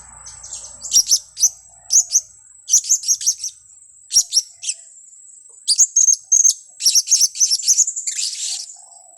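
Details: Blue-crowned hanging parrot recorded as a trapping lure: rapid bursts of thin, shrill, very high chirps in clusters of two to four, repeated through the recording over a steady high-pitched whine.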